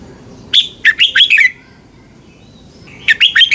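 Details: Thai red-whiskered bulbul song meant for training or stimulating caged birds: a lively phrase of five quick, rich whistled notes swooping up and down, a pause, then another phrase beginning, over soft background hiss.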